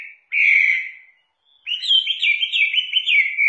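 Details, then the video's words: Chinese hwamei, a caged songbird from southern China: a long clear high whistle sliding slightly down, a brief pause, then a rapid run of looping, warbled high whistles. "Suara Kicau Burung Hwamei"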